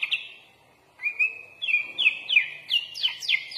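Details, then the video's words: Gacor sooty-headed bulbul (kutilang) with a full-isian song: one drawn-out whistle, then a brisk series of clear, falling whistled notes repeated roughly three times a second, growing louder and higher toward the end. "MASTERAN BURUNG KUTILANG FULL ISIAN LENGKAP"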